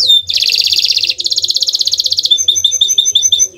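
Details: Canary song played as a lure for other canaries; a dense, rapid, high buzzy trill shifting upward partway through, then breaking into quick bright chirps, with a faint low hum beneath.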